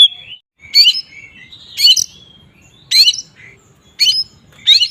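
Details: Oriental magpie-robin (kacer) in ngeplong song style, used to provoke rival magpie-robins into agitation; loud whistled phrases with rising and falling notes, bursts roughly every second, sliding whistles between.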